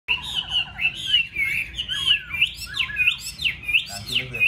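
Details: Caged Chinese hwamei, a golden-billed bird kept at home in Vietnam, singing a rich run of loud whistled phrases, slurred up and down, with rapid warbled notes between.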